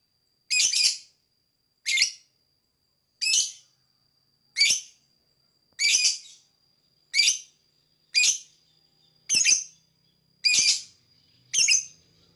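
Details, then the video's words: Lovebird calling for bird whistle training, ten harsh rasping chirps repeated roughly every 1.2 seconds over a faint steady high whistle. "This Lovebird Singing and Chirping"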